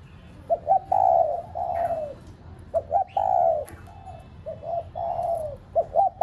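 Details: Lure spotted dove cooing to get other kept doves calling: repeated phrases of two quick clipped notes and a long warm downward coo, about every one and a half seconds.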